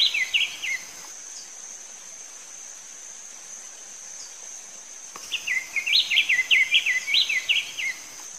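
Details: Diademed tanager song variation: a brief warbled phrase, a long gap filled by steady high insect buzzing and faint background hiss, then a second bright run of sharp, rising-falling whistled notes.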